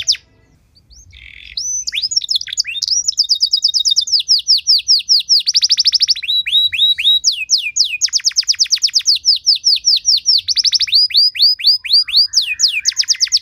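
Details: Canary pouring out a cengkok mewah song that prompts other canaries to sing: after a brief quiet start, long unbroken runs of rapid rolling trills and swift downslurred notes, varied in speed and tone.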